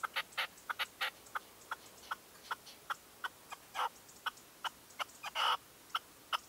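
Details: Dawn hunting with a decoy red-legged partridge, 2023: irregular, spaced, sharp clucking notes, some doubled, with one longer louder rasping burst near the end.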